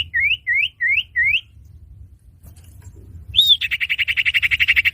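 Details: Common iora (cipoh) lure sound used for trapping: four quick hooked whistles rising at the end and repeated about every third of a second, a pause, then one arched note and a steady buzzy trill of rapid pulses.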